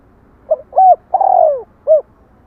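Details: A close, loud spotted dove phrase: two quick hoots, a long mellow coo sliding downward, and one rounded final note, heard against a quiet background.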